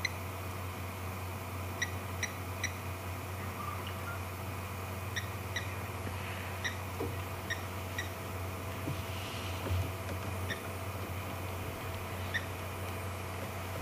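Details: On a June 2 evening safari drive near sunset, a Blacksmith Lapwing calls in the background: sharp, metallic 'tink' notes, likened to a hammer on an anvil, in quick pairs and threes every couple of seconds, over steady engine hum. Blacksmith Lapwing.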